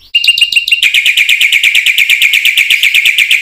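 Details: A black-winged myna sings 'gacor full isian', used as a lure for training other mynas. A few sharp chips lead into a steady, very rapid, shrill trill-like chatter kept up at an even pace.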